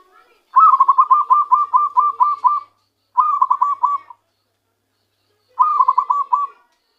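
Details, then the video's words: Zebra dove caught by luring, now singing its true song: a long rolling phrase of about nine rapid, mellow pulsed notes, followed by two shorter rolling phrases with clear pauses between them. "ketika perkutut hasil pikat mulai keluarkan suara asli nya"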